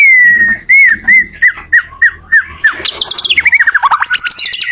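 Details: Teaching song from a white-rumped shama for other shamas: slurred whistles repeated every quarter second, then a fast, high, chattering trill of rising notes that grows busier toward the end.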